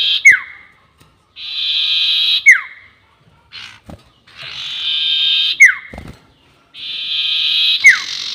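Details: Sirtu bird lure sound used for trapping birds, long-whistle type. Four phrases, each a rasping, hissy buzz ending in a quick downward-slurred whistle, are spaced about two seconds apart. Faint knocks are heard between them.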